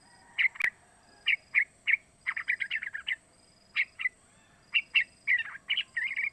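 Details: Sooty-headed bulbul fledgling of three months calling, meant as a lure for other bulbuls to copy; irregular chirpy notes singly and in quick clusters, some slurred, with a sharp click early and faint background noise.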